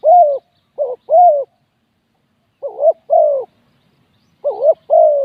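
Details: Repeated cooing from a spotted dove used as a decoy for wild doves: three phrases, each a brief wavering note followed by a drawn-out rolling coo, spaced roughly two seconds apart.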